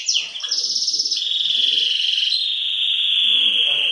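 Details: A Belgian canary singing in the early morning gives a loud, continuous run of rapid high trills, shifting from a sharp descending note into long buzzy rolls that gradually drop in pitch.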